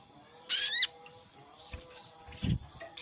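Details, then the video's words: Sogon lure call used to draw hard-to-catch wild sogon birds down into a trap, heard as one harsh, rising, harmonic squeal lasting about a third of a second, then scattered short chips and a low thump, over a steady high whine. "Suara pikat sogon paling ampuh_ sogon manggil lawan untuk pikat"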